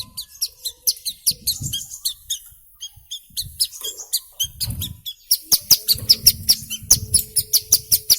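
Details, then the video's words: Hill prinia singing as a lure for young birds. Quick, high chirps come in loose bursts and speed up after a quieter middle stretch, with low handling thumps and a faint hum. "Suara Asli Ciblek Gunung Gacor"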